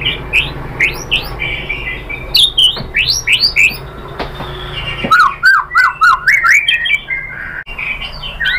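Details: White-rumped shama, caged, singing as a lure to provoke singing: rapid, repeated upslurred whistles and sharp clicks, about four notes per second, with a steady low hum behind.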